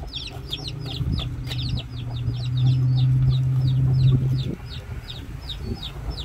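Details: Chicks with their mother hen in a farmyard pen, peeping constantly: high, short, thin cheeps repeated more than twice a second, over a steady low hum and rustling.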